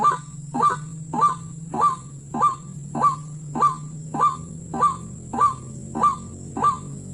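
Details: Wild white-breasted waterhen, recorded during bird hunting, giving about twelve clipped, harsh notes in a fast and very regular rhythm, near 0.6 seconds apart. A low steady hum and a high hiss run underneath.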